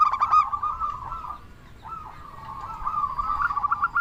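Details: Local Indonesian zebra dove with a big voice, used as a lure to get other doves singing: a loud burst of stuttered coos, a brief lull, then a fainter wavering cooing run that builds toward quick pulsed notes.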